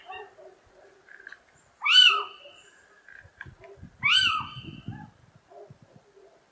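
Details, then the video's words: [4, 'Two loud, harsh, arched mewing notes from a little owl (Athene noctua), two seconds apart, with soft chattering and low rustling sounds around them.'] "Mochuelo europeo (Athene noctua) Canto"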